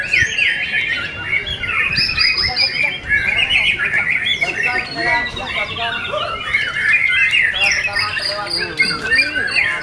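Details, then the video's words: Caged white-rumped shama singing at a song competition: a dense, unbroken stream of varied whistles, trills and chattering phrases, with other competing birds overlapping and faint voices in the background. "AKSI MURAI BATU"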